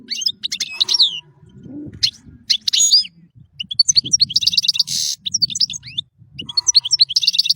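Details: Song of a European goldfinch: fast, varied high twitters, sharp chirps and rattling buzzy trills running in quick tumbling phrases, over soft low rustling in the background.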